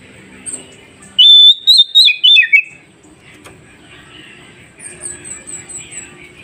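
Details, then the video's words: Oriental magpie-robin song played to train newly caught wild birds to answer: a loud burst of high whistled notes with a stepped, falling ending, then soft background chatter and a thin high whistle. "Dengarkan KACER ini Agar Kacer hutan Baru Dapat Cepat nyaut"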